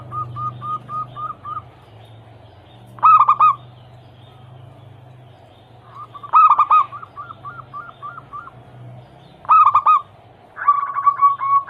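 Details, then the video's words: Local perkutut, the zebra dove, singing as a prompt for other doves: three loud rough bursts spaced about three seconds apart, each trailed by a row of soft staccato notes over a faint low hum. "Pancingan harian burung perkutut Anggungan"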